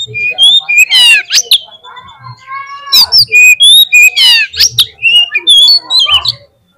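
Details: White-rumped shama singing as a lure to make birds sing: fast mix of loud whistles and scratchy descending rattles, repeated in bursts almost four times a second, with faint low thumps.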